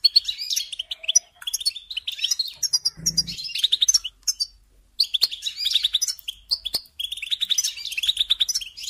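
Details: Goldfinch song used as a singing lesson for young birds: phrases of quick twittering and liquid trills broken by two short silences, with a low knock around the third second.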